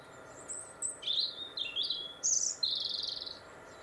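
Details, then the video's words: European robin singing in winter 2021 in Warwickshire, England, along the Monarch's Way: thin, high, varied phrases, sweet whistles and a fast wavering trill over faint hiss. "Winter Robin Birdsong"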